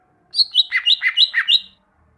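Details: Greater green leafbird song used as a training recording so caged birds sing diligently: one quick phrase of alternating high and lower clear, whistled notes, about seven rapid pulses in just over a second, then silence.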